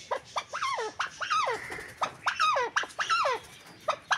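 Arabian partridge giving squealy, sharply falling notes, one or two at a time, roughly every half second, with a quiet indoor background.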